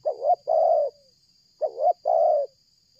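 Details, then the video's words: Spotted dove cooing strongly and without pause, in a stuttering style, used to lure other doves: two paired coo phrases, each a short double-note followed by a longer, level coo, with a faint steady high whine behind. "tekukur ini kuat nguku dari jauh mendekat nguku takberhenti,penguku selang gagap"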